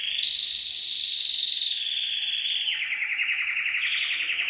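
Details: A steady high canary trill slides gradually lower, then switches to a coarser rapid tour and rises again at the end.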